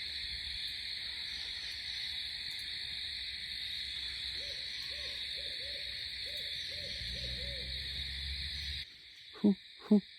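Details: A Barred Owl at night near a remote backwoods campsite, its second calling of the night, gives a run of about six mellow, arching "who cooks for you" hoots over a steady high trilling of night insects; two short loud human sounds end it.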